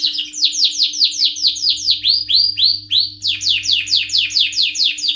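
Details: Male canary singing in high excitement: loud, fast, unbroken trills of repeated curved high notes, shifting pitch between phrases, with a faint steady low hum in the background.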